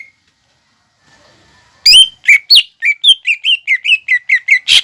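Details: Greater green leafbird, a loud singing bird kept for its song, gives a run of about twelve clear whistled notes, each dropping sharply, repeated quickly after near silence.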